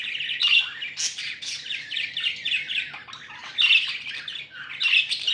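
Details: Happy pet budgies keep up a busy chatter of raspy warbling chirps and short sharp squawks in uneven bursts, several birds overlapping, over a steady low background hum.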